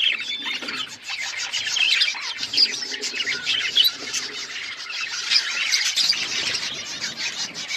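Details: Budgerigars chirping together: unbroken busy chatter of high, warbling twitters and squeaky notes from several birds, steady and loud throughout.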